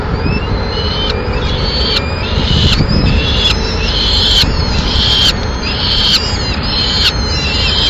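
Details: At a Madrid nest, a male peregrine falcon arrives with a swift and tears it up to feed the chicks. Grating, strained calls come roughly every second throughout, over a low rumbling background.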